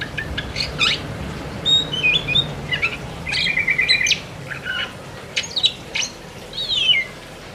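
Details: Oriental magpie-robin in full 'ngerol' song: bursts of sharp chips mixed with warbled whistles and quick trills, delivered in uneven phrases with brief pauses, over soft low-pitched background noise.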